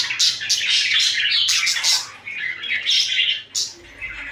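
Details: Budgerigars kept as pets chirp rapidly while cuddling and fighting, a fast run of sharp high tweets and warbles that briefly eases, then returns.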